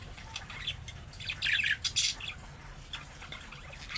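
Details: Budgerigar calling to set off replies from pet birds: a few quiet chirps, then a loud cluster of harsh, grating squawks in the middle, trailing off into softer scattered chirps.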